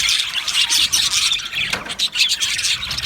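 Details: Budgie colony in an aviary: constant high chattering from many birds, scratchy squawks mixed with thin whistles, loudness rising and falling in quick pulses.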